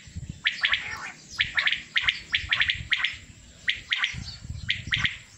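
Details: Male common quail calling: quick doublets and triplets of sharp, ringing notes, repeated at close intervals among a group of 27 quails, with low-pitched background noise.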